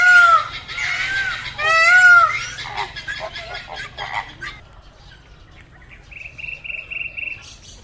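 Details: Peacock calling twice, loud drawn-out wailing cries in the first two seconds, then a quieter stretch with soft rustling and a small bird's rapid high chirps near the end.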